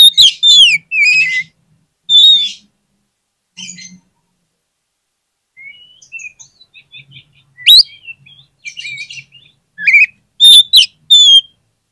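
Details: Oriental magpie-robin (kacer) singing in a lure recording meant to stir lazy magpie-robins into answering quickly: bursts of loud, clear, varied whistles and sliding notes, some sharp and high, separated by short pauses and soft twittering.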